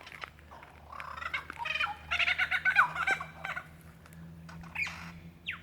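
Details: In Dandenong Ranges National Park, Victoria, Australia, February 2016, a male lyrebird calls for a female with a fast, rattling, chuckling run of notes that builds and fades. A rising sweep comes near the end.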